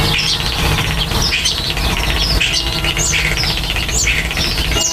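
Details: Common starlings at the nest during nest building: busy mix of squawky notes, rising whistles and rattling clicks, closely repeated, over low rumbling background noise.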